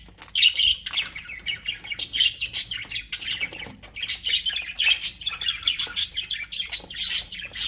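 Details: Aviary budgerigars in a cheerful mood keep up a steady stream of twittering chirps, clicks and rasping notes in rapid uneven bursts.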